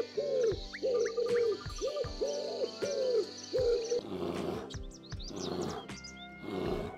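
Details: Owl giving six short, mellow hoots in an even series about every half second, then a rougher, noisier stretch, over faint background music.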